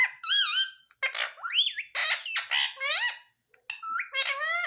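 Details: Indian ringneck parakeet, a pet in a small room, repeating "mummy" in rapid squeaky bursts, several looping up-and-down syllables and harsh squawky notes run almost without pause.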